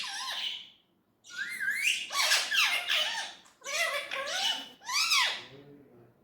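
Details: Indian ringneck parrot indoors producing talking-like vocalizations: bursts of harmonic, rising and falling notes with wavering pitch, separated by short pauses, ending in an arched, slurred syllable.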